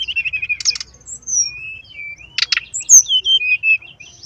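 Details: Song of a brown-chested jungle flycatcher for luring: warbled slurred whistles with two dense buzzy bursts, a high sharp note, then a twisting run of descending whistles.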